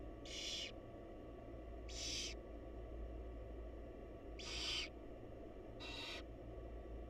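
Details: Wild barn owls at a research-monitored nest box while the mother feeds the young: four short, airy hissing screeches, about 1.5 to 2 seconds apart, over low background hum.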